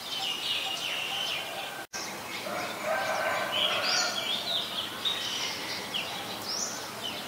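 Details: Oriental magpie-robin in song at Ubon Ratchathani, Thailand, 3 February 2023, Nikon P1000 recording: a rapid, varied string of chirps and whistled phrases over rustling ambient noise, with one brief dropout.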